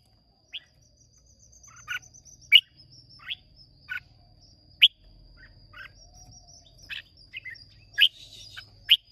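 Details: Red-whiskered bulbul contest singing, Hoa Binh origin, Vietnam, 30 May 2023: isolated sharp chirps every second or so, rising and falling, over soft low hum and a faint persistent high tone.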